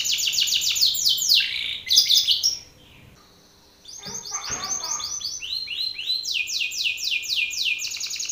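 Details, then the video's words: Belgian canary male singing hard toward another male, calling an opponent: fast repeated arched notes and rolling trills, a short pause of near-silence midway, then renewed rapid rising phrases. "Canário belga BRAVO CANTANDO FORTE na cara de outro macho !"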